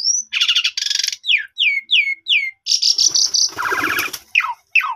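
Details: Asian pied starling in song, meant as a lure to make a caged starling sing its repertoire; harsh rasps, a series of three descending whistled slurs, a long buzzy note and grating chatter.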